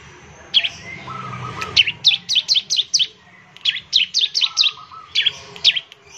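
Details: ['Bar-winged prinia lure song to get other prinias singing fast: long, brisk runs of sharp, bright downslurred chirps, with soft lower whistled notes between the runs.']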